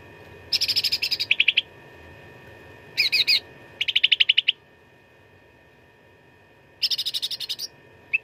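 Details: Grey-bellied bulbul, known locally as cucak ranting, delivering a fighting-style training song: four short bursts of fast, rattling staccato notes, high and dry, separated by pauses, over a constant faint electrical hum.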